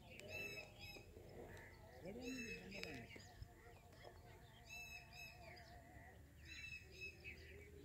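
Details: Black francolin (kala teetar), calls mixed to prompt a new francolin to call: harsh, rasping, multi-toned notes given in pairs, the bursts returning roughly every two seconds, over low murmuring voices and background rumble.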